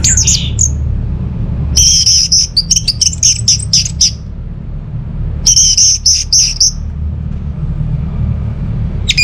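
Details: Orange-headed thrush song in two long, rapid bursts of high ringing, chattering notes separated by a pause, with a low continuous rumble in the background.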